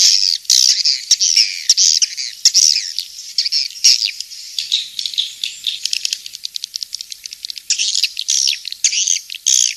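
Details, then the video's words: Swiftlet calls from the King's Star lure track, used in swiftlet husbandry. Shrill twitters mix with rapid clicking, rattling bursts, growing into a fast, stuttering chatter midway before longer buzzy notes return. "Suara Walet King'S Star"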